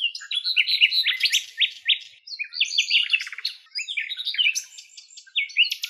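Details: Common nightingale recorded in its natural habitat in Greece: rich, rapid phrases of repeated notes, chirps and trills, almost without pause; possibly more than one bird singing.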